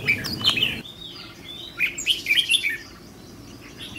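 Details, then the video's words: Young trainee decoy red-whiskered bulbul ('fire eyelids') showing its temperament: a few brisk chirps at the start, a pause, then a short cluster of clear, bright whistled notes that fade to quiet. "Thử Thái Độ Chào Mào Mồi Tập Sự 2 ''MÍ LỬA''"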